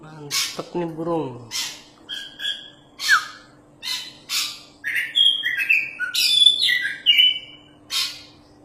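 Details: Champion Oriental magpie-robin in lively song, used to teach other birds: harsh rasping bursts alternate with clear whistled notes, building into a rich, overlapping warble near the end; a low, buzzy sound briefly intrudes early on.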